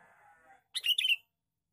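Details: Male sooty-headed bulbul giving a single lure call, a quick, sparkling burst of chattering notes lasting about half a second after a soft murmur.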